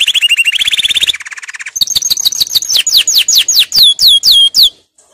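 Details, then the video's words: Canary singing a training song: a loud rolling high trill, then a lower rattling trill, followed by a run of separate sharply descending whistled sweeps, spaced quickly and ending abruptly. "Canary 's most powerful song for training"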